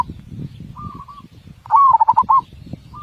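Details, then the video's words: Zebra dove singing in a big voice with close-set beats: a faint short cooing phrase, then one loud phrase opening with a rising coo and breaking into five quick throbbing beats, over steady low rumble. "Burung Perkutut suara besar ketukan rapat"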